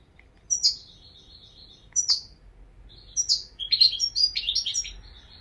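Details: European goldfinch beginning with a couple of sharp chirps with thin trailing tones, then breaking into fast, tinkling twittered song phrases. The background is quiet.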